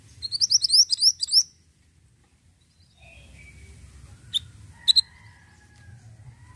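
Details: Ashy tailorbird delivering a fast run of about eight loud upslurred chirps, then a pause filled with faint distant bird whistles and two sharp single chips.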